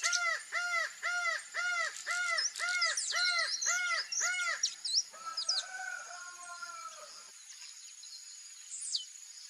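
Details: Acauã, the laughing falcon, sings a fast series of eight loud, arched, hollow notes in steady rhythm, then softer, trailing notes and a fade to near quiet, with small birds twittering high in the background.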